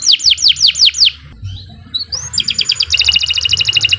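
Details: Canary (kenari) song used to train birds: five swift falling whistles, a brief pause, a rising whistle, then a fast, even trill.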